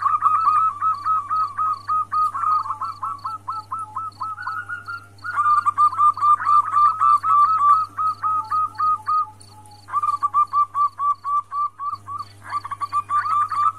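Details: Calling female zebra dove from Indonesia summoning the male, meant to bring males into breeding condition; long bursts of rapid rolling coos separated by short gaps, over a low hum and steady high pulses.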